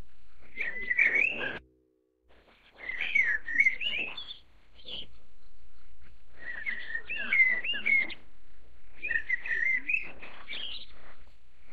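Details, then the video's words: Chinese Blackbird (Turdus mandarinus) chicks being fed give bursts of shrill, wheezy, excited chirping, each about a second long, in four bouts with short pauses over a faint low hum. "烏鶇(黑鶇)-育雛/Chinese Blackbird-Feeding Chick"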